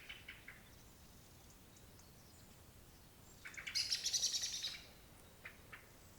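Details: A bird most likely a Eurasian blackcap, thought to be very angry, gives a quick burst of about ten hard, high ticking notes over one second, with a few faint chips before and after.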